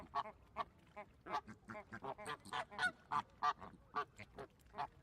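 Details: Separate, clear flamingo honks with a harsh nasal tone, spaced irregularly about three per second, over a faint background murmur from the flock.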